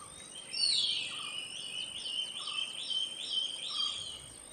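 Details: Silver-breasted broadbill recorded in Bogor, giving a continuous stream of bright, quavering chirps in bursts roughly every half second, with faint lower notes and a constant thin high whine behind.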